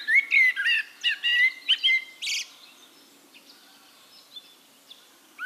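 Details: Singing Eurasian blackbird recorded in Castricum, the Netherlands: a run of rich fluted notes in the first two seconds, a harsh high squeaky flourish, then quiet pause with faint distant bird notes and a soft background hum.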